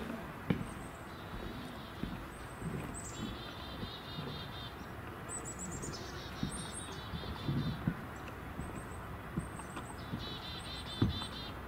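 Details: At least two Black-capped Chickadees repeat chick-a-dee-dee-dee alarm calls near a feeding garden on a day with little snow on the ground: high thin opening notes, then runs of buzzy dee notes, over a low rumble of wind or distant traffic.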